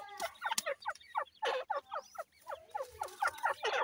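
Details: Grey francolin chicks being fed call loudly and close, a fast series of descending whistled cheeps, about four each second, with one sharp click early on.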